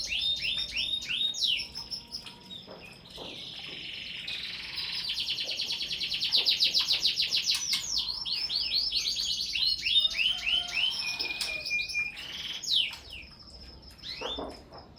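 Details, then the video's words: Canaries singing at midday in a small aviary: loud, rapid rolling trills of repeated high notes, about three per second, mixed with upward and downward whistled sweeps and a sustained buzzy passage in the middle; several birds overlapping. "suasana siang di aviari mini burung kenari"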